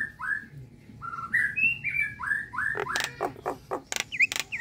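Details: Nias hill myna whistling clear, rising slurred notes one after another, followed by harsh broadband clicks and a couple of high twisting whistles.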